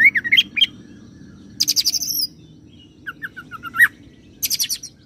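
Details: Oriental magpie-robin (kacer) song rolling cililin imitation into serindit (blue-crowned hanging parrot) imitation: bright whistled notes, then quick high buzzy bursts of repeated chips, short rising whistles and another high chattering series.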